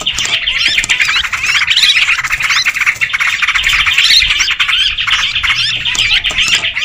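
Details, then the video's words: Lure sound of sooty-headed bulbuls, made to pull birds in: a crowded, lively tangle of chirps and short warbled phrases, steady and busy throughout with brief louder bursts. "Suara pikat trucukan ribut"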